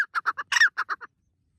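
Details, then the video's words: Loud morning call of a white partridge in forest as the sun rises: a quick run of about eight harsh, clucking notes with a louder, squealing note in the middle, then silence. "The white partridge makes a loud noise in the morning forest as the sun rises"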